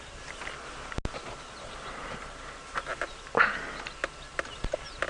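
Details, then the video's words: Arrow-marked babblers calling around a vehicle parked near resting lions on a very hot afternoon sunset safari drive, Djuma Game Reserve area, 23 November 2016: brief, harsh, nasal chattering bursts at irregular intervals over a soft rural hum, then stop. "It's very peaceful at the moment. There are some birds calling around us, some arrow-marked babblers."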